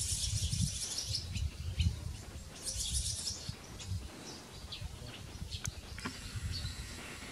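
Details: Barn swallow nestlings in the nest at Kardzhali, Bulgaria, giving bursts of thin, high, squeaky chirps in clusters, loudest at the start and again near the third second, over low rumbling background noise.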